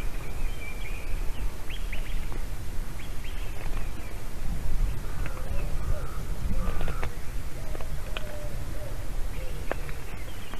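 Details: On a live-camera nest in Latvia, a female white-tailed eagle calls and squeals with excitement as her mate delivers a carp on an afternoon in March 2019: high yelping notes in uneven runs over a low background rumble.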